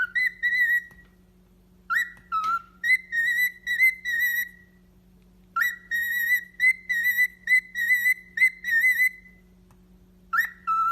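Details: Pet parrot whistling a tune: bursts of clear, wavering whistled notes held near one pitch, some with quick rising starts, in phrases of several seconds separated by pauses, over a steady low electrical hum.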